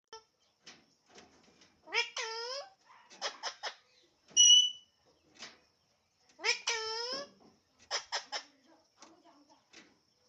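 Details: Alexandrine parakeet talking, giving a run of short clipped syllables and chatter with two longer, rich harmonic squawk-like notes near two and seven seconds, plus a brief sharp tone in between, in a quiet indoor space.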